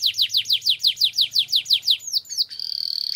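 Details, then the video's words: A canary sings a long song meant as a lure for training other canaries: a fast roll of about a dozen high, downslurred notes, then a few sweeping whistles and a rapid trill. "Suara Burung Kenari Gacor Ngerol Panjang Untuk Pancingan Kenari"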